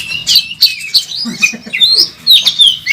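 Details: Oriental magpie-robin, a national first-place champion bird, singing aggressively in a fighting display at the training track. Its song is full of varied fillers: sharp high whistled notes and slurred chirps in quick, uneven bursts, with brief lower notes between them.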